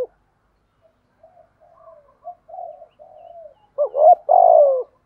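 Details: Spotted dove in a sequence of urgent croons and calling coos used for training decoys; soft, low mumbled notes build up into a sharp two-part hiccuping note and then a loud, drawn-out, falling hoarse coo.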